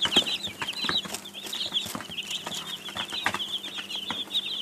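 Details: Young chicks peep in a jumbled, high-pitched chorus, some notes louder and closer, mixed with rustling, pecking clicks and a low background hum.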